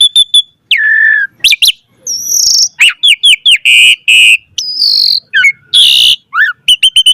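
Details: Full varied song of an Asian pied starling, used as a lure for other starlings: short chips, a low whistle, a long high note, a run of quick downslurs, thick buzzy blasts and crisp closing chips.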